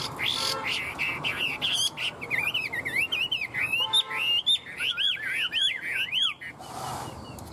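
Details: Caged tame Chinese hwamei with a fanned tail, singing and flicking its tail like a laughingthrush; a long, loud flow of wavering, swooping whistles and looping slurred notes, with brief clicks and a faint man's voice.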